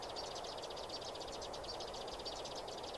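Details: High, rapid chirping from sparrows in a trapping setting, pulsed notes repeating several times a second without a break, over constant background hiss.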